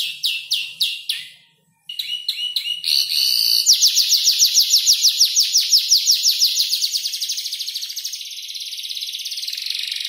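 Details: Young canary about five months old, arranging a song borrowed from ciblek, klik-klik and prenjak lumut, gives spaced chirps, a brief break, then a long rapid trill that gradually softens.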